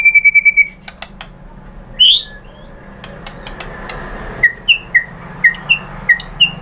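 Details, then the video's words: White-rumped shama (murai batu) pancingan, a lure song to prompt other shamas to answer. A quick trill opens, then one loud whistle. Evenly spaced short rising notes follow, several per second, with faint hiss underneath. "MURAI BATU jadi Gampang NYAUT GACOR BONGKAR MATERI ¦ PANCINGAN MURAI ¦ SHAMA BIRD"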